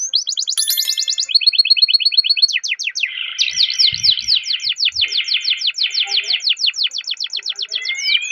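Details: Canary song, a long roll used to stimulate other canaries: fast trilled phrases shifting from high buzzy rattles to rapid repeated downward-sweeping notes, continuous and loud throughout.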